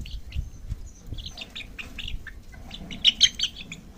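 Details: Chicks peeping: faint, high, thin chirps scattered through the recording, then three louder, sharp peeps in quick succession near the end, over low rumbling background noise.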